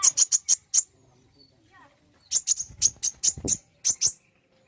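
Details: Common iora, meant to provoke singing: a quick set of five bright, high whistled notes, a short quiet gap, then a longer sequence of similar sharp notes repeated at brisk, slightly uneven intervals.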